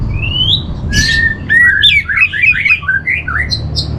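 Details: Orange-headed thrush training song for calming captive birds: a rising whistle, then quick warbled phrases of sliding, looping notes and short high chirps, with a low background hum.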